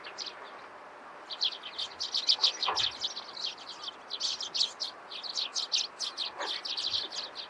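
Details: Eurasian tree sparrows calling in the morning: dense, overlapping short high chirps in rapid bursts, building after the first second and continuing through the end, over a steady background hiss.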